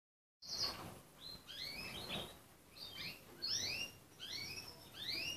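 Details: Red canary singing indoors: a series of bright, rising slurred whistles and short chirps in bursts, spaced irregularly over about five seconds.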